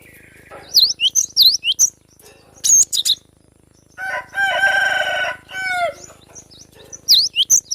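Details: Young wild cinereous tit in forest: bursts of high, sharp, V-shaped whistled notes in quick runs, broken by a harsher buzzy, harmonic chattering passage in the middle, then more high notes at the end.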